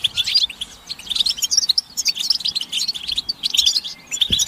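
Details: Massed chattering of European goldfinches, calls of mating and readiness used as singing stimulation: high, sparkling twitters in uneven bursts, several birds calling over one another, with a soft thump near the end.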